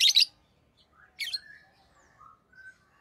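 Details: Pet rosy-faced lovebirds, orange-faced green and red-headed green colour forms: two loud, harsh, high chirps at the start and near one second, with faint thin whistled notes between.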